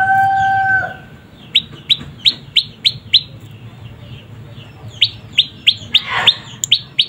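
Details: Young prenjak lumut prinia giving a rapid series of short, sharp, high chirps, about three or four per second, in two bursts separated by a brief pause. A steady tone opens the recording, and a low hum runs underneath.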